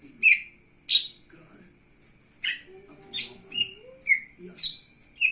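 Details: Lesser green leafbird singing energetically while spreading its wings: sharp, bright chirped notes, some dropping and some buzzy, delivered in irregular bursts with short pauses and a faint low hum behind.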